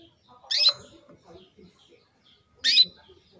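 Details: A female canary calls to rouse a male into breeding condition, two loud quick chirps about two seconds apart, with faint low rustles between.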